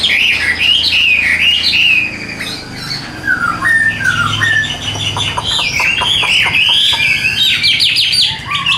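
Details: Caged Chinese hwamei, described as an even, fine singer, giving loud warbled whistles that waver up and down, then a burst of rapid clicking, chattering notes.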